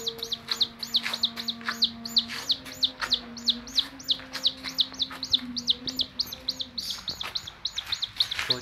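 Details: Young chick of domestic chicken running toward its carer's hand, unwilling to stay away. Rapid high peeps, each a quick rising-falling note, about three per second, with a steady low hum underneath and a brief spoken word.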